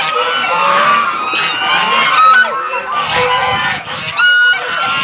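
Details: A large flock of domestic Chinese geese at a zoo goose square, heard at zero distance in April 2021, honking loudly, harsh nasal calls overlapping without a pause.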